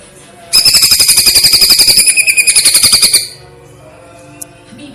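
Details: Greater green leafbird masteran training track, platuk-versus-cililin style with pauses: a steady three-second volley of bright, hammering notes near four per second, followed by quiet background and a single faint click.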